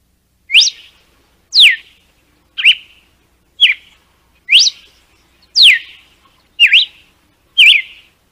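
A red-cowled cardinal sings eight clear whistled notes, about one a second, some swooping up, others sliding down, against a quiet background.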